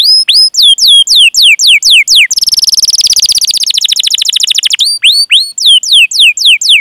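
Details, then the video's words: Canary song used as a lure to prompt other canaries to sing: repeated downward-sweeping whistled notes, then a rapid buzzy trill, returning to slurred descending whistles. "Masteran Suara Burung Kenari Gacor Panjang cuit cuit Ngerol untuk Pancingan Kenari!"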